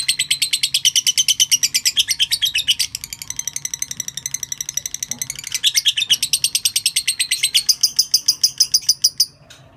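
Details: Lovebird in a long ngekek call, a rapid stream of shrill, grating chatter notes delivered evenly with a few brief changes in tone, ending in a higher, thinner flurry before a sudden stop.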